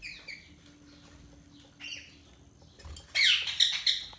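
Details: Budgerigars chirping: short high descending chirps at first, spaced by quiet gaps, then a loud dense burst of harsh, scratchy chattering and squeaks in the last second and a half, with a faint steady low hum beneath.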